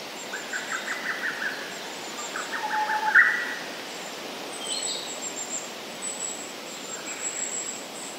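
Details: Singing Japanese paradise flycatcher. Two short whistled phrases open the recording, followed by fainter notes, while insects buzz at a high pitch in the background.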